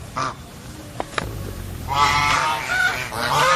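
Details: Several geese call in a noisy flock: a short honk near the start, then from two seconds on a dense overlapping run of loud nasal honks with rich harmonics, continuing to the end.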